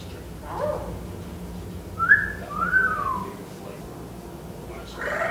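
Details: Male pet eclectus parrot, a foster bird, whistling and making noises indoors while a TV plays and nobody is around: two clear mid-pitched whistled notes, the second slurring upward then down, amid faint background noise and soft murmurs.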